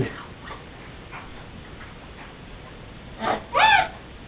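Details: A Turquoise-fronted (blue-fronted) Amazon, said to hate its owner's singing, gives two harsh, raspy squawks in quick succession after a nursery rhyme is sung, the second longer and more tonal, with faint murmured human voice before.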